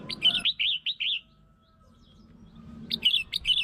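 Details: Red-whiskered bulbul song used to lure and provoke other bulbuls: a quick burst of five or six bright, warbled notes, a pause with faint hum, then another short lively phrase.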